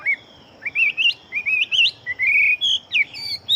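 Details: Chinese hwamei kept as a fighting bird, singing fast: rising, twisting whistles that climb in pitch, then a long level whistle and a sharp high flourish, against faint background hiss.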